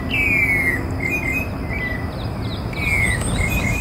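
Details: Rufous-bellied thrush singing in Porto Alegre Botanical Garden, Brazil, on 14 October 2017: clear whistled notes gliding downward, a long slurred phrase then shorter ones, over steady insect-like buzzing and low background rumble.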